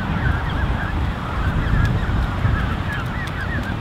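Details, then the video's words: Over thirty Canada goose goslings gathered into one creche, recorded 13 June 2015, giving soft high arched peeps in a busy, irregular chorus against strong low wind-like background. "Peeping Canada Goose Creche (An Army of 30+ Goslings)"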